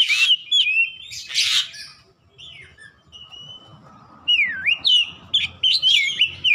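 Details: Caged Oriental magpie-robin singing ngeplong gacor, used to train birds at home: rasping bursts followed by varied whistles, swooping down-and-up notes and quick bright phrases, a steady low hum behind.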